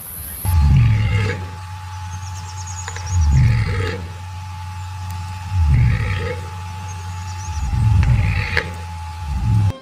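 A cassowary gives deep, rumbling booms about a second long, repeated roughly every two and a half seconds, over a faint steady hum and soft music.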